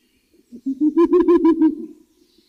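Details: A wild owl delivers a brief, quavering run of low hoots that swell into a rapid pulsing trill before fading, in a quiet night setting.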